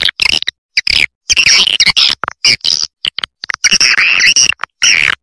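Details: Swiftlet call recording of the Triple Queen roosting ("inap") call: fast, buzzy, high chirps in clipped bursts with abrupt silent gaps between them, no other sounds heard.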